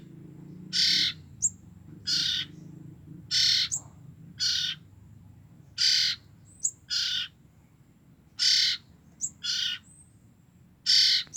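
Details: Common iora siblings just two weeks old, kept to draw in the parent birds: nine rough, raspy bursts, some paired, interspersed with thin high chirps, against a constant low droning hum.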